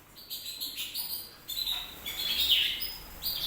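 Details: Canary in loud, bright song: rapid high chirps and sustained whistled tones run together, rising in intensity toward the end with dense, buzzy trills.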